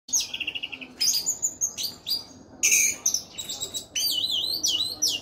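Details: Orange-headed thrush singing persistently in gacor style: a rapid series of high buzzy notes, then fast shifting whistled and trilled phrases in bursts, with short pauses between them.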